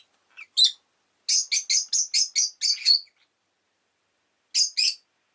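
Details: Rosy-faced lovebird repeating a rhythmic series of about eight strident chirps at even spacing, followed by a pause and a closing pair.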